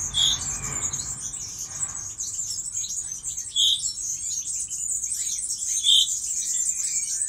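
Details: Recorded in Poland in 2018 among breeding European goldfinches: a steady, bright, high twittering song flowing continuously, punctuated every couple of seconds by a clear, lower chirp note.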